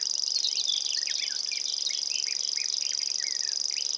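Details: In Estonia, a common grasshopper warbler delivers a steady, shrill, cricket-like reel over four seconds, accompanied by busy, quick chirping notes from other songbirds nearby.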